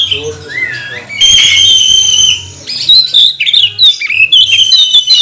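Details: Magpie-robin singing as a lure to provoke other magpie-robins into song, spreading tails and getting worked up: varied loud whistled phrases, a long harsh rich note in the middle, then quick twisting whistles, with a low steady hum behind.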